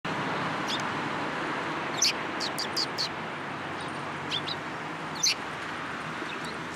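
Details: Sparrows gathering in a cherry tree at a Tenmangu shrine on 22 March 2023 give short, sharp chirps at scattered moments, a few seconds apart, over a steady broad hum of background noise.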